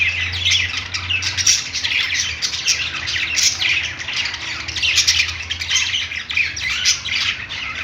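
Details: Pet-store budgerigars on a perch keep up constant overlapping high chatter and squawky chirps for the whole stretch, over a faint low droning hum.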